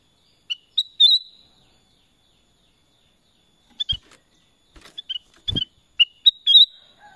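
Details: Kutilang emas song: a crisp whistled phrase, then a pause, then a rapid series of liquid notes and another rising-falling whistle, with a couple of dull thuds.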